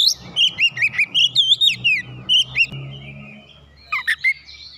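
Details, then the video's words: Provoked, agitated Oriental magpie-robin pours out its learned song. About a dozen rapid, evenly spaced whistled notes dip and rise, then after a short pause come a few sharp descending notes, over a low background hum. "memancing emosi Kacer langsung panas emosi bongkar isian"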